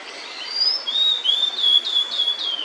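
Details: A female blue-and-white flycatcher with food in her bill sings a single continuous phrase of sweet whistled notes. Each note slides, and the pitch holds fairly level before dropping slightly at the end.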